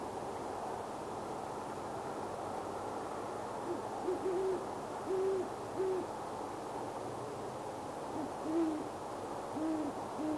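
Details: Pair of great horned owls in a tree after dark near Boulder, Colorado, in January, hooting back and forth: deep soft hoots in rhythmic series, one bout mid-clip and another near the end, over steady hiss.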